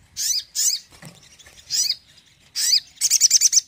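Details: Crested jay (sogon) song used to rouse a less active bird: harsh, high buzzy notes in short bursts separated by pauses, ending in a fast stuttering run of about eight clipped notes.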